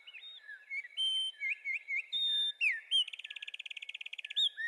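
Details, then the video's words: Wren singing: a fast, varied series of bright chirps and sharp slurred notes, then a loud rapid rattling trill, with high thin whistles above. "Wrens bird Singing"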